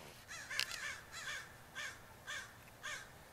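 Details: More than 20 crows perched together on a rooftop; hoarse cawing comes in spaced bursts roughly every half second, a louder overlapping cluster near the start, then single rasping caws.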